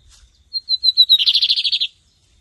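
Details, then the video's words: Lined seedeater singing in a 2023 Brazilian season competition, camelão versus torneiro. A few clear whistled notes slide slightly downward, then a fast, buzzy trill of about a dozen evenly repeated notes ends abruptly. The background is quiet. "BIGODINHO CAMELÃO VS TORNEIRO"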